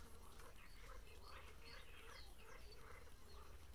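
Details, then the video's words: Great reed warbler filmed during breeding at Grachevka, singing faint, harsh, chattering phrases of repeated rasping notes throughout, with a few thin higher whistles and a steady low rumble of background noise. "Камышовка Дроздовидная"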